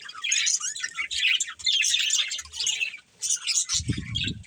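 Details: A breeding pair of budgerigars chirps and warbles in lively high bursts of squeaky, rapid notes, a short pause, then more chatter with a low flutter at the end.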